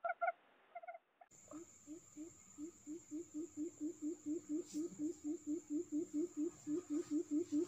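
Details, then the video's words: Forest quail lure call used in trapping: after a few brief higher notes, a regular series of soft low hoots sets in, about two per second, with a steady faint hiss behind. "suara puyuh pikat Bima"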